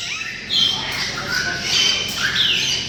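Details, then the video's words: Parrots of dozens of species at Tehran Bird Garden, housed in covered enclosures. Loud, harsh squawks, some long and level, others short and falling, burst out over a steady background of chattering birds. "And here we have dozens of parrot species from all over the world. The noise they make is incredible"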